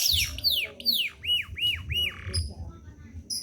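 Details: Energetic domestic canary song for tutoring other birds: a series of falling whistled sweeps, three rounded arched notes and a brief buzzy roll, then isolated high chips.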